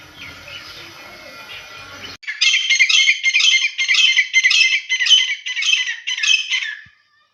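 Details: Grey francolin female, deshi madi titar, wild hunting call: after low background hiss, abrupt loud harsh squawking notes repeated almost twice a second, then stopping.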